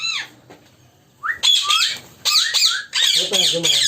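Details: African ringneck parakeets in a colony, several birds overlapping with shrill rising whistles and harsh squawks that come in bursts, dense and chattering.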